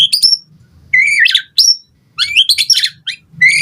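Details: White-rumped shama singing as a lure for other birds: brief rising whistles and harsh, buzzy warbled notes in quick succession, over faint low background rumble.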